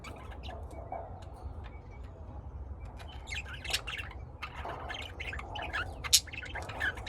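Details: Pet lovebirds raised indoors in Austin, Texas, calling in bursts of sharp, high chirps mixed with rougher squawks, with a few louder notes near the end and a low hum underneath.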